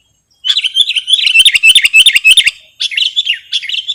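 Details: Sooty-headed bulbul song for luring or tutoring birds, a lively chattering sequence of short whistled and chirping notes delivered rapidly, a pause, then two further bursts.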